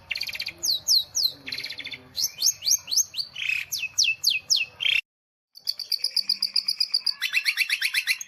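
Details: Long-tailed shrike singing in cendet style: quick runs of descending high whistles alternate with buzzy rattles and scratchy notes, a brief break of silence, then dense fast repeated chips and trills.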